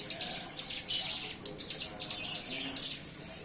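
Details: High-pitched, rapid chirps and twitters from a young bar-winged prinia starting to find its voice after hand-feeding ends. The notes fall into short, evenly spaced bursts that fade toward the end.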